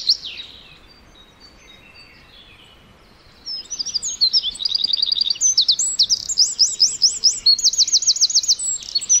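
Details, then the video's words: A Eurasian wren pours out a loud, high, rapid song of sharp twitters and fast rattling trills after a few quieter opening notes. "Singing Eurasian Wren Bird: Best Bird Song"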